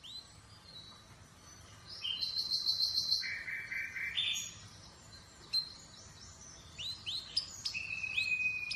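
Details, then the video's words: Atlantic canary singing fairly quietly against steady background noise: a brief metallic trill, a low buzzy phrase, then scattered upslurred notes and a held whistle. "Atlantic Canary sings in an amazing voice"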